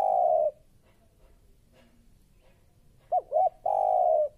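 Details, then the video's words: Fierce spotted dove used as a training lure: the tail of a long coo, a quiet gap of over two seconds, then a fresh phrase of two short rising hoots and a long level coo. "Suara Tekukur Baru Galak"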